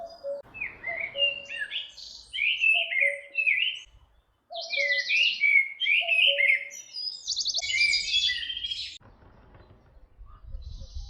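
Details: Red-backed shrike near Orduña in Bizkaia, Spain, filmed in 2025. Varied, rapid chirps and buzzy trills come in several bursts, broken by a brief pause, with some low rumbling near the end.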